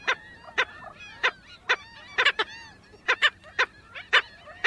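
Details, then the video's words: Black Skimmers in Florida, in the season when chicks are hatching, give short, nasal, dog-like yaps, about a dozen in under five seconds, with several birds calling over one another. "the sound you just heard was that of the black skimmer"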